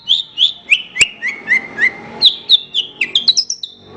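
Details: Horsfield's bush lark song meant as a tutor for other birds: rhythmic, sharp chirps falling stepwise, a click, then a higher series accelerating into rising twitters.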